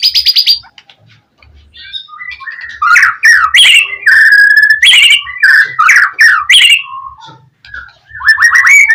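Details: White-rumped shama 'gacor' song used to bait rival shamas into replying: varied clear whistled phrases with rising and falling slurs and bursts of sharp higher notes, separated by short pauses.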